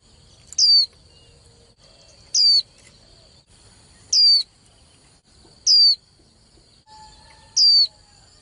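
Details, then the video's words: Female white-eye calls meant to fire up male birds for singing contests: five sharp, downward-sliding whistles spaced roughly one and a half seconds apart, over a steady thin high tone. "KHUYÊN MÁI TƠ - Kích Trống Líu Đấu Sung Hơn Mỗi Trận"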